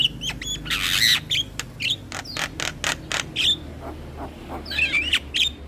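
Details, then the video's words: Javan myna song used as a lure for all kinds of mynas and starlings: loud broadband rasps and clicks mixed with bright whistled slurs, a harsh buzzy squawk early on and twisting whistles toward the end. "PAncingan Semua Jenis Burung Jalak dengan Ocehan Jalak Kebo Masteran"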